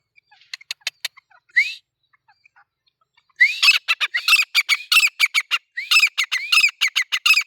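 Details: Male grey francolin calling: a few sharp clicks, then from midway a loud harsh series of notes with upward-sweeping squeals, repeated roughly every half second.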